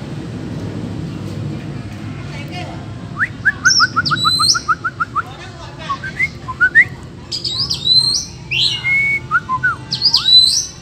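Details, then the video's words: Wild Oriental magpie-robin in a forest singing duel with rivals: a fast run of short rising whistles, then varied high, sweet chirps and slurred whistled phrases climbing to very high notes, over a low background hum. "lần đầu thấy chòe than hót đấu giọng rừng hay và căng lủa đến vậy"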